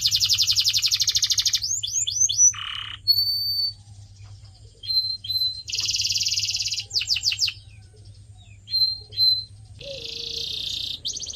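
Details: Canary singing, a recording for training pet birds: a buzzy trill, quick chirp groups and short whistles separated by pauses, then another dense roll and a final trill.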